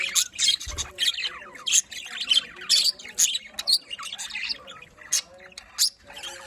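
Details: Several pet budgerigars in a colony trading loud, sharp squawks and short high chirps, bursts spaced irregularly with brief pauses, plus one low knock early on.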